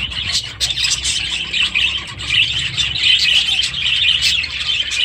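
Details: Budgerigars, adults and new chicks, kept in aviaries, recorded 23 July 2017; dense high chattering with rapid, scratchy warbles and chirps overlapping throughout, little else heard.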